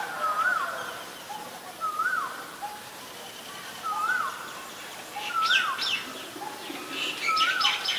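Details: White-vented myna recorded in Ubon Ratchathani, Thailand, on 8 March 2022: a clear whistled note that rises then dips, repeated about every 1.3 seconds, with softer lower notes between and higher chirps from other birds late on.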